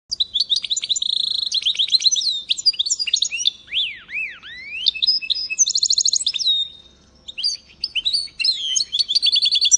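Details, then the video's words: Goldfinch mule, a goldfinch and canary hybrid, singing in 2022: a fast, varied warble of high twittering notes, buzzy trills and looping whistled slurs, with a brief pause near seven seconds before the chatter resumes. "Goldfinch mule 2022. سهره قناري مست"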